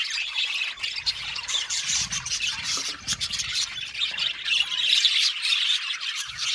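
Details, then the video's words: Budgerigars squawk and chirp in a lively group chorus, a thick high chatter of squeaky notes that grows louder toward the end, with faint low thumps. "Budgies parakeets chirping sound | Cute Budgies birds singing sound"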